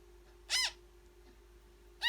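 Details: Newborn African grey parrot during feeding: one loud raspy arched call, then silence and the start of another, with low constant hum behind.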